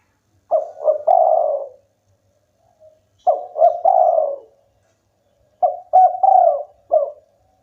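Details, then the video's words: Local spotted dove in full song, said to prompt rival birds to call back; three phrases of soft low coos, each two quick notes then a longer drawn-out coo, repeated about every 2.5 seconds over a quiet background. "tekukur lokal gacor bikin lawan ikutan bunyi"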